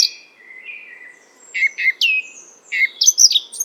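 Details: Eurasian Blackcap song: a high, thin whistled note slides down and fades, then short bursts of clear, fluted, warbling notes follow, climbing higher and quicker toward the end, with no other sounds.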